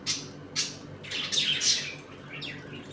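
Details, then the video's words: Budgerigars in a home colony, eating, playing and fighting: scratchy high chirps and squawks in bursts, several overlapping, with a few descending whistled notes near the end, indoors. "Budgies Eating and play time in my home colony."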